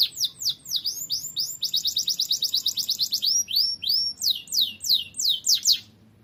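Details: Energetic canary song used to train cage birds: repeated high descending whistled notes, a quick stuttering trill in the middle, then slower loud downward sweeps before stopping.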